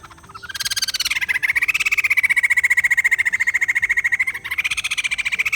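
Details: White-crested laughingthrush, played to spur a quiet bird into calling: a long, rapid, even chatter of pulsed notes, about eight per second, held level then briefly rising, with a short break near the end before the pulses resume.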